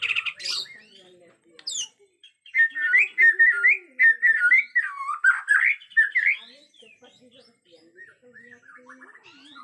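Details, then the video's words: White-rumped shama of Borneo singing in an agitated state, natural forest sound: a short high note, a pause, then several seconds of rapid, warbling whistled phrases that fade to soft notes. "Murai Batu Borneo Ngamuk suara asli hutan"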